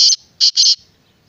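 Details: A brief harsh phrase of a black francolin (kala teetar): one short rasping note, a pause, then two quick grating notes run together.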